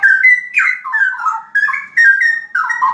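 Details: Ropel-style song of a straw-headed bulbul: mellow, gurgling whistles in quick rolling phrases, each burst lasting about half a second with short gaps between.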